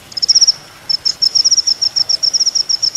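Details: Kolibri ninja sunbird on a master track for teaching songbirds: short clusters of very high, thin, rapid ticks, broken by a brief gap and then resumed in quick succession.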